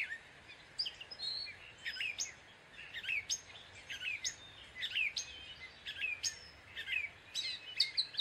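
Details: Gray catbird song: a rambling string of quick, varied notes, sharp chips, squeaks and down-slurred whistles following one another about every half second, with steady hiss behind.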